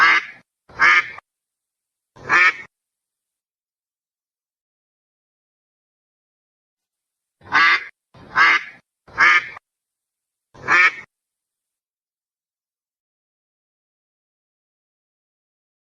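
A duck gives loud, harsh, nasal quacks in short bursts separated by silence.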